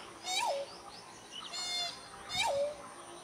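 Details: Pheasant-tailed jacana breeding song: two nasal, mewing notes that hold level and then drop sharply, about two seconds apart, with a faint higher chirping between them.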